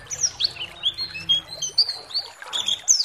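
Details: Pleci (white-eye) lure song meant to provoke other white-eyes to sing. Sparse, high, thin chirps and short sweeping notes come in loose bursts over a faint background hiss.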